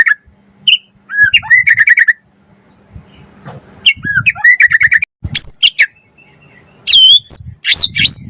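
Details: White-rumped shama lure song for prompting other birds to sing: whistled notes and rattling chatter bursts, then loud high sweeping whistles near the end, with low background rumble.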